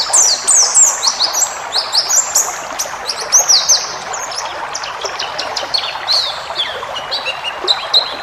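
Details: White-eye training recording for cage birds, wild-style 'ngalas' song with full fill-ins: rapid high chirps and sharp downslurred notes with short whistled strokes, a busy continuous chatter over steady background hiss.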